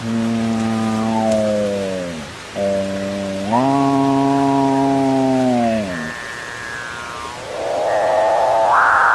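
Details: Capuchinbird song: long, deep, moaning drawn-out notes with rich harmonics, each held a second or more and sagging slightly at the end, over a steady rainlike hiss, closing with a higher rising wail.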